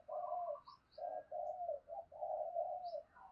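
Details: Decoy spotted dove cooing to attract wild doves: a steady run of low, rough coo notes in close succession, with brief high chirps faintly heard behind.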